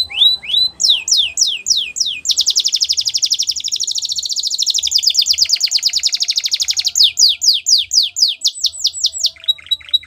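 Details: Singing canary, used to train young canaries: falling whistled sweeps give way to a long, very fast rattling trill lasting several seconds, followed by more descending sweeps and a lower buzzy phrase.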